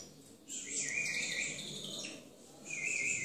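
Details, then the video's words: During a singing competition, a Timbrado canary gives a short, soft sustained warbling phrase with a faint buzzy edge. After a slight dip it restarts on a steady whistle. "CANTO DE MIS TIMBRADOS EN CONCURSO"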